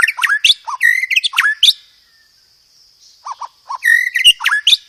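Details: White-rumped shama song, loud and clear, filled with sparrow mimicry and 'roll tembak' rolls; rich warbled whistles and chirps in dense phrases, a pause of about a second, then softer low notes leading into another warbling burst.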